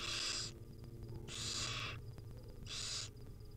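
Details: Begging wild barn owl young at a nest being fed by the mother: three loud, harsh hissing screeches about a second apart, noisy and broadband, with a constant low hum beneath.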